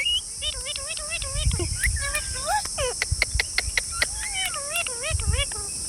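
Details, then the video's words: Green parrots give a rapid series of bending, harmonic squawks and clipped click-like notes, some wavering up and down. A steady high insect-like hiss runs throughout, with soft low rumbles. "Beautiful Green Parrots Talking | Funny Parrot Sounds"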